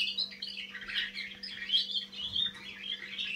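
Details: Young canary just beginning to sing: a soft, continuous, rambling warble of high twittering and chirping notes with no pauses, fairly quiet, over a faint steady low electrical hum.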